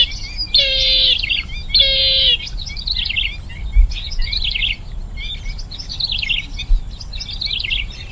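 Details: Bronze-winged jacana giving two loud, grating buzzy bursts, then a run of softer, wavering chattering notes that continues to the end against a steady background hiss.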